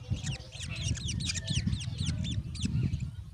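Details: Black drongo (Dicrurus macrocercus), begging calls: growing chicks demanding food.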